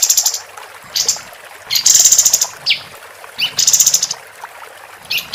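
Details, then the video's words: Female capped white-eye singing, tutor audio for competition birds: spaced bursts of high, buzzy rattling notes and occasional rising whistles, with quiet gaps and a faint low hum between. "Kapas Tembak Betina Gacor"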